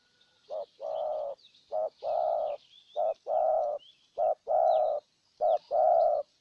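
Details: Spotted dove decoy bird luring a wild dove in Ninh Thuận, Vietnam, cooing steadily: paired phrases of a short note followed by a longer hollow coo, repeated about four times; thin chirping of small birds in the background.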